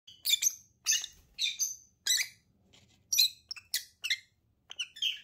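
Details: A pair of lovebirds gives sharp, squeaky high chirps in short bursts, about two per second, with brief silent gaps between.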